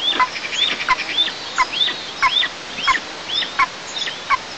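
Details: Eagle chicks at a camera-watched nest in the oil-producing southeast of Tatarstan, 6 July 2024, protest that their mother is eating alone: sharp, rising-then-falling squealing notes repeated in quick series, roughly two per second, over steady background hiss.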